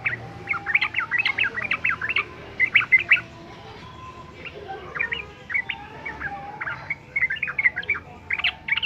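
Yellow-vented bulbul giving fast bursts of bubbly, chattering notes in quick phrases, with a short pause midway; a faint steady whistle-like tone runs underneath.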